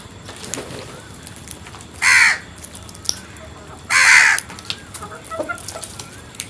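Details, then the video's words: Crow giving two loud, rasping caws about two seconds apart, each drawn out and harsh, with faint background rustling and distant bird sounds. "Birds Sounds | Crows Planet"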